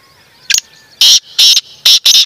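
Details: Black francolin (kala tetar) calling: a short lead-in note, then four loud, rasping, broadband bursts in quick succession, each about a fifth of a second long, over a soft background.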